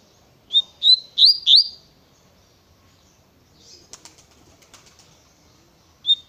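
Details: Double-collared seedeater in the tui tui style: four loud, clear whistled notes with sharp down-and-up slurs, then a brief flutter of wings and a single whistle at the end.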